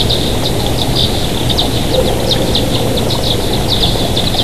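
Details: Bald eagle pair at a nest in Big Bear Valley, watched by a live nature camera on the morning of 24 June 2023 at 07:21; a run of short, high chirps repeats over a steady low rumble.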